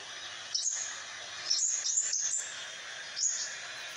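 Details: Crimson sunbird in lively song, used as a tutor bird: short high, thin squeaky phrases with quick slides at about half a second, one and a half, two, and three and a quarter seconds, separated by gaps.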